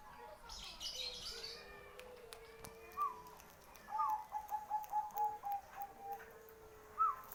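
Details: ['Zebra dove of the Bangkok strain from Kertosono, Nganjuk, in bekur manggung style: scattered upslurred notes then a rapid run of seven soft rolling coos, followed by a lone note, with a low drone and faint clicks behind.']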